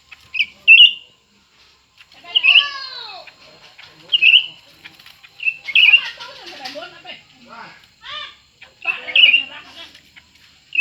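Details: Two Grey-bellied Bulbuls, new and old, competing in song: loud, clear, warbling bursts recur every one to two seconds, mixed with descending, harmonic-rich sweeping notes and scratchy rattles.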